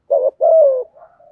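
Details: Spotted dove in the thổ bầu voice style, a lure call meant to provoke wild rival doves: a short low cooing fragment, one brief hoarse note, then a longer slightly falling coo and a faint trailing hum.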